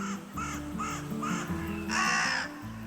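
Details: Carrion crow in Spain at the foot of the Pyrenees in springtime, giving four short, hoarse caws about half a second apart, then a longer, harsher caw, over steady background music.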